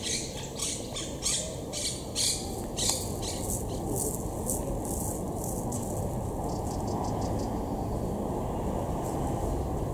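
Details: Wild monk parakeets in tall trees at Estepona, southern Spain, October 2021, during courtship and nest building; a quick run of harsh squawks for about three seconds, then steady low rumbling noise with a few faint squawks.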